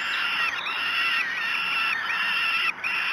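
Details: Nest of falcons at Great Spirit Bluff during breakfast on 5 June 2016: chicks give repeated grating, drawn-out begging screams, about one per second, ending in a short hush.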